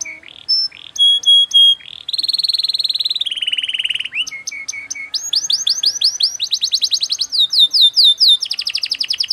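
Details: Canary song in the fast, tight cengkok style, changing phrase every second or so: clear whistled tones, a buzzy rapid roll, short chirps, then quick trills of upswept notes, all high-pitched and loud against a quiet background.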